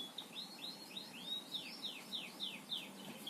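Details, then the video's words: Canary song from a master recording used to train birds: fairly soft, quick series of high, down-slurred whistled notes repeated about three times per second, over a low background hiss. "Masteran Burung Kenari gacor ngebor"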